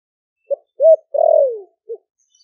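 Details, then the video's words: Caged spotted dove from Ninh Thuận, a wild-caught bird kept four months, cooing in the deep 'thổ đặc' (thổ sấm) voice to call wild doves in: a short low note, an arched coo, a long falling drawn-out coo, then a final short note. "Cu gáy kích bổi nhanh nổi GIỌNG THỔ ĐẶC ( THỔ SẤM )gáy gọi bổi về"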